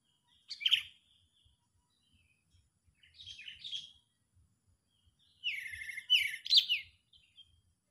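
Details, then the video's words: Sooty-headed bulbul giving agitated calls used as a lure for trapping birds: short bursts of harsh, chattering, scratchy notes in three clusters, the last one longest, with faint low tapping beneath. "Bikin lawan Getar getir,Gacor,amarah full Menggaruda"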